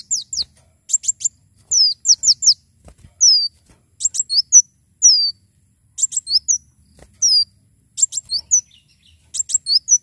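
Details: Javan sunbird in vigorous song, recorded as a training tutor and song prompt: bright, very high chips and curved downward whistles in quick clusters, phrases repeated after short pauses, no other clear sounds.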